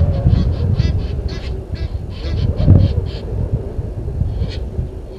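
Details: Live waterhole camera at a dam in South Africa's Sabi Sand Wildtuin, 10/04/21 at 17:08: Egyptian geese confront intruder geese. Clustered raspy honks come in quick bursts during the first three seconds, then thin out against a strong low-frequency rumble.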